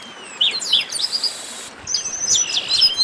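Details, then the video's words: Short baderna burst of chestnut-capped blackbirds: a couple of sharp chips, a harsh, buzzy rasp, then overlapping high whistles and slurred notes. "Baderna de Garibaldi"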